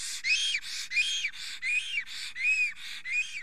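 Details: Male black stork at its forest nest in Estonia, 10:48 am on 30 April 2020, extremely excited and trembling as a female passes near. Arched whistled notes alternate with breathy hissing bursts, about eight pairs in quick rhythm.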